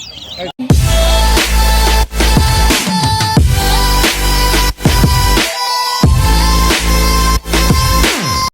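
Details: Loud electronic dance music with heavy bass and drums plays throughout, with no animal sound audible.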